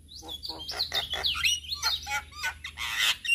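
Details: Male Javan myna singing to teach other mynas: a tangle of slurred whistles, rasping chatter and warbled phrases over a low steady hum.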